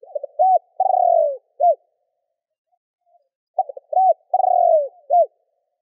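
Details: Spotted dove calling to provoke and lure wild doves: two clean phrases of soft hollow coos, short notes followed by a longer drawn-out descending coo and a final short note, with silence between phrases.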